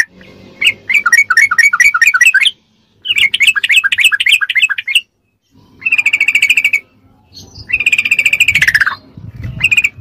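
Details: Ropelan-style song of a sooty-headed bulbul, recorded as tutor material to fill a captive bird's repertoire: fast runs of warbled whistles, then sustained rattling trills separated by short pauses, over a soft low rumble.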